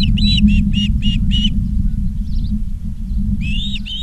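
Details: At a nest in Charlo, Montana, filmed by a live camera on the afternoon of 19 August 2023, Ospreys give five quick whistled chirps, fall silent, then resume with two more, above a constant low hum.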